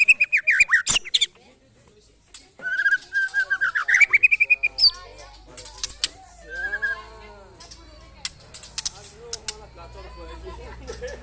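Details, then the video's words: During a mental test against neighbours' birds, a White-rumped shama pours out rapid, high chirping phrases for about five seconds. Softer scattered notes follow over a low background hum. "test mental burung murai batu"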